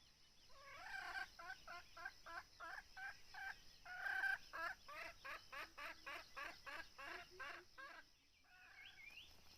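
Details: Red junglefowl during hunting with a decoy bird: a loud run of rapid, harsh, harmonic clucking notes, about three per second for roughly seven seconds, with faint calls of other birds and a steady high hiss behind.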